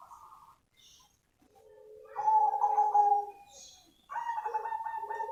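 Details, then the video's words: A cemani zebra dove (perkutut) singing actively, a genuine recording rather than an MP3: soft, rapidly pulsing coos on a low, steady pitch in two bursts, with faint higher chirps from other birds behind. "SUARA ASLI PERKUTUT CEMANI GACOR"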